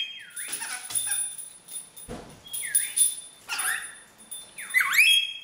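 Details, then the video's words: Caged pet rainbow lorikeet copying a mobile phone's R2D2 bleep ringtone: repeated swooping electronic whistles that dip and rise, separated by gurgly chatter and rustling, in a quiet room. "Star Wars R2D2 Bird - Greg the Rainbow Lorikeet"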